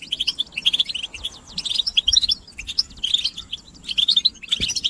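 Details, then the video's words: Goldfinch singing in quick bursts of bright, high tinkling notes and twitters, broken by short pauses between phrases, with a faint low thump near the end. "بتبتة الحسون"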